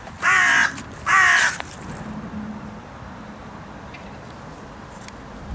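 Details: Noisy park carrion crow being fed nuts shouts two rasping caws in quick succession, then quiet with faint distant bird notes.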